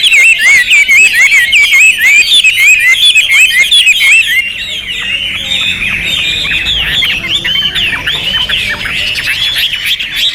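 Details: Hwamei, a champion singer with loud volume, delivers rapid repeated looping whistles for several seconds, then shifts into a softer, busier jumble of chattering notes.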